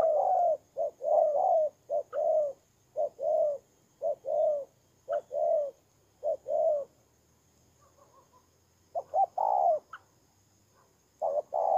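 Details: Spotted dove decoy bird, Tumorong, Kon Tum, September 2018: clustered soft coos in a steady sequence, short notes leading into fuller rounded ones, with a silent gap near the middle before cooing resumes.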